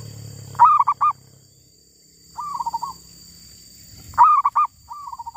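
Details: A female zebra dove from the wild coos in phrases: sharp accented notes followed by a softer, quickly rippling trill, the pattern heard twice with a faint low rumble early on.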